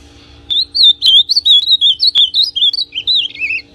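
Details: Azulão pardo, a brown-plumaged ultramarine grosbeak, giving a warm-up song meant to excite another male: a lively, slurred warble of rapid rising and falling whistles that slides lower in its last notes, with occasional clicks and a background hum.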